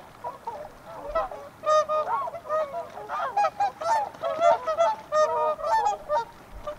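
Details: Whooper swans honking together: trumpet-like, slightly wavering notes overlapping in a busy chorus that builds after a quieter opening, loud bursts following each other every fraction of a second.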